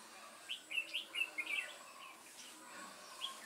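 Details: Red-whiskered bulbul used as a decoy in a trap to lure wild bulbuls, recorded 28 September 2017 in Vietnam; bright whistled phrases rising and falling in quick bursts over the first two seconds, then fainter notes against a steady insect hiss.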